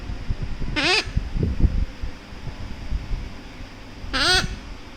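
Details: Pet Severe Macaw cuddling with its owner, giving two short harsh squawks about three seconds apart, each wavering and rasping with a rich buzzy tone, over soft low rustling and handling noise.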